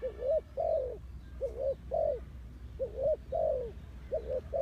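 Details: Decoy spotted dove luring wild doves, calling steadily in mellow paired coos: a brief rising note then a longer slurred descending one, repeated roughly every second over a low rumbling background.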